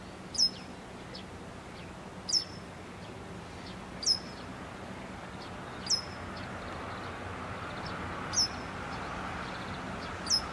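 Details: Excited Japanese wagtail keeping a large caterpillar in its beak, uttering six shrill, descending 'piip' notes at a regular pace of about one every two seconds against a faint steady background rumble.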